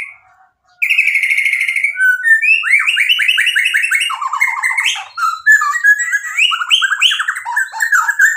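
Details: White-rumped shama mimicking song used to provoke rivals: a buzzy trill, then a rich stream of slurred, chattering and rising whistled phrases at varied pitches, quick and continuous.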